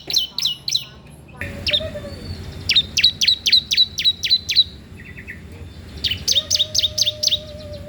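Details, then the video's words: Bar-winged prinia in lively song, used for training and luring untrained birds: clusters of crisp, high chirps repeated about four per second, separated by short gaps, with a faint low whistle-like tone. "CISEM PAUD GACOR DOORRR, COCOK UNTUK MASTERAN/PANCINGAN CIBLEK BAHAN"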